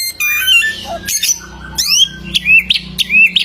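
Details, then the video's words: Golden samyong from Kelimutu Lake in Flores, East Nusa Tenggara: rising slurred whistles and raspy bursts, then clear upswept notes repeated about every half second, with a faint low hum behind. "AMAZING SOUND OF THE GOLDEN SAMYONG BIRD"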